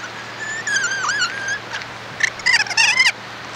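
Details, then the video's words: Kea, the mountain parrot: a drawn-out, wavering, nasal call rich in harmonics, dipping in the middle. Then a burst of harsher, broken squawks rises and falls in quick succession before cutting off, over a low steady background hum. "Kea Mountain Parrot"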